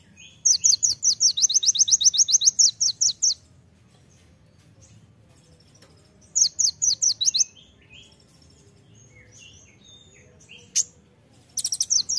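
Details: Vigorous masteran song of an olive-backed sunbird, called kolibri ninja, full of 'tembakan' bursts: a long three-second trill of some twenty high sharp notes, a second shorter trill, then scattered chirps and a final burst.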